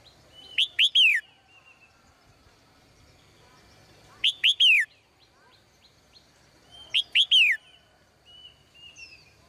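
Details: Female bird singing cheerfully in a cage in the morning: three bursts of three quick, loud, downslurred chirps, each a few seconds apart, with faint thin whistles in between.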